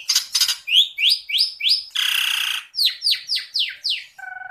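A greater green leafbird sings a fast, varied run of rising whistled notes, a harsh buzzy burst, then steep downslurred whistles, ending on a nasal note.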